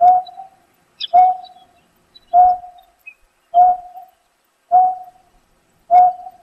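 A greater painted-snipe gives soft, low, hollow hoots, one every second or so, evenly spaced and owl-like. A faint higher chirp is heard once in the background.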